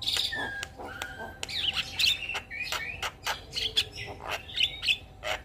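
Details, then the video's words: A Javan myna in full gacor song with varied fills, stringing together sharp clicks, flat and bending whistles and grating notes in a busy, irregular sequence. "Semua Jenis Jalak Langsung Ribut Saat Dengar Kicauan Jalak Kebo gacor Full Isian Manggut2"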